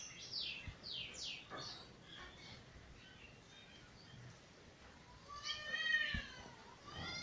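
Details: Eurasian bullfinch, the owner's first black bird, recently out of molt, singing its "weet teeture" and flute-roll song in January 2022: a few thin, falling whistles, then a fuller fluted phrase that rises and falls, over faint hiss.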